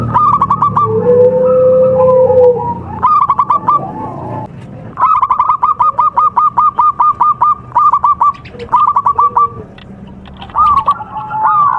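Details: A local Javan zebra dove (perkutut) of contest type sings as lure audio for performance: rapid runs of bright, clipped coos around one pitch, delivered in bursts, with a longer drawn-out tone near the start.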